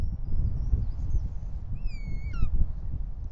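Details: At a nest in Els Ports, Catalonia, on 6 June 2024, a male Bonelli's eagle flies in from a pine carrying a snake. A single clear whistle, steady and then falling steeply at the end, rises over low wind noise.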